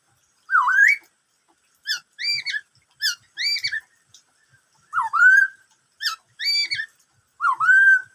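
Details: Black-throated laughingthrush singing the "bắt cô trói cột" song. Rising whistled slurs alternate with quick clusters of two or three short bright notes, repeated in a steady cycle with short gaps.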